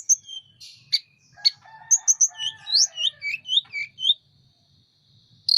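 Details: Energetic Sunda robin song with the bird opening its wings, starting with scattered clicks and sharp notes, then a fast cascade of bright slurred whistles that steps downward, ending in a brief buzzy burst.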